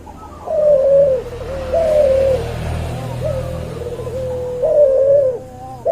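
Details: Hybrid cuhu dove, from a white albino puter crossed with a puter pelung. Long, mellow coos hold a steady pitch, with some dipping and wobbling, over a low rumble of background noise.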